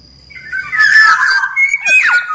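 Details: Caged black-naped oriole of the big-bodied Sumbawa type, singing as a lure and training master: after a quiet start, one dense phrase of rough buzzy notes over a steady whistle, ending in a sharp downward-sliding note.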